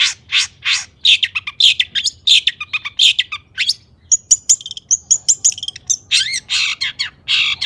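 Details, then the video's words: Long-tailed shrike singing excitedly to draw song from rivals: harsh, scratchy notes repeated about twice a second, then a run of rapid thin chips and a rising whistle near the end. "cendet gacor AMPUH EMOSI TINGGI buat PANCINGAN CENDET AGAR BUNYI"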